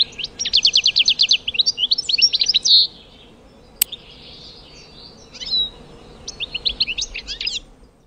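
European goldfinch singing high, liquid twitters: a fast tinkling trill, a buzzy note, then more jangling phrases after a pause, over a faint low hum.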